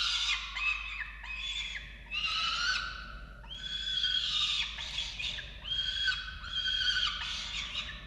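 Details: Falcons feeding chicks on a nest in Orange, Australia, 13 November 2022, nest-camera sound: a run of about eight loud, grating, harmonic squawks, each wailing and slightly rising, given in close succession with brief gaps, over a faint steady hum.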